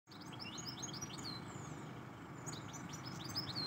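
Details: A wild European goldfinch (Carduelis carduelis) sings a rapid, tinkling run of high twittering notes and liquid trills, over a steady low rumble of traffic.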